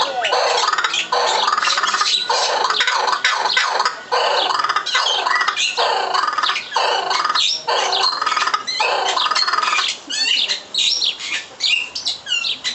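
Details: Laughing kookaburra at the Bergzoo in Halle (Saale), Germany, in a loud, harsh cackling chorus of rhythmic bursts about once a second, breaking into rapid chattering hoots near the end.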